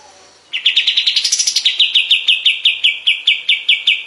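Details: Kapas tembak bulbul recorded as a master for training other songbirds. A rapid, pulsing chatter of high notes briefly rises higher, then continues in evenly spaced, slightly slower, emphatic notes.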